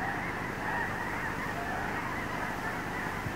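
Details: Wintering Snow Geese in an enormous flock at Blackwater National Wildlife Refuge, Maryland, 18 February 2023, heard as a soft, continuous wall of overlapping honks with occasional individual calls rising briefly above the babble.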